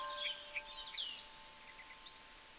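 Yellow-vented bulbul giving quick, bright chirps and short trilled notes in rapid bursts, over a faint steady hum and background noise.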